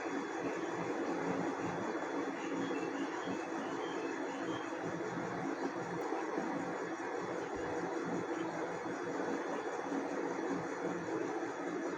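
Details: Steady broadband rumbling noise like a passing vehicle or train, with no animal sounds.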